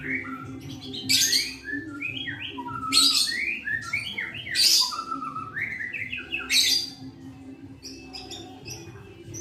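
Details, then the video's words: Hand-raised adult white-rumped shama kept as a pet, singing a varied song of sliding whistles that rise and fall and dense high scratchy bursts, about four bursts over nine seconds, with a steady low hum behind. "Suara Merdu Pastol@alasurip Burung Murai Batu"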